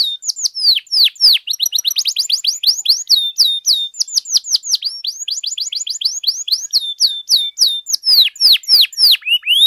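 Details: Domestic canary singing continuously for tutoring and prompting other canaries: varied sharply downslurred whistles in fast runs, some closely packed into trills, others spaced, with no other sounds.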